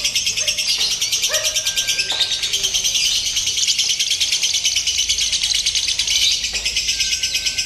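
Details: Lovebird practising for a singing competition with a simulated contest, giving sustained rapid, shrill chattering with rhythmic pulsing, plus a few brief lower whistled tones in the background.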